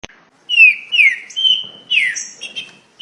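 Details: Green-winged saltator (trinca-ferro) singing a very fast song: loud, clear downslurred whistled notes with brief higher accents, delivered in quick succession over about three seconds.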